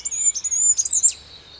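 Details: A Goldcrest sings its thin, very high, rapid song, a phrase cycling round and round at a very fast tempo and delivered frantically, ending in a brief sparkling flourish; songs are often repeated several times with gaps of about three seconds.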